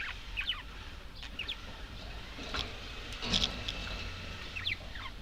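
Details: Budgerigars chirping in brief clusters of rising and falling squeaky notes over a hissy, rumbling background, with a louder burst of chatter in the middle.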